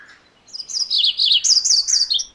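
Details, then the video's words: MacGillivray's warbler singing one loud, high song of about two seconds: a run of rapid buzzy chips that steps up into a brighter, slurred ending, against a quiet background. "MacGillivray's Warbler Song ! MacGillivray's Warbler Sounds ! MacGillivray's Warbler Call"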